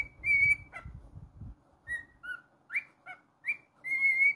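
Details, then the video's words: Pet cockatiel whistling indoors: bright whistled notes near the same pitch, some held and some short and sliding, with a low rumble of handling or movement in the first seconds. "Monty The Naughty Cockatiel's weekly moments"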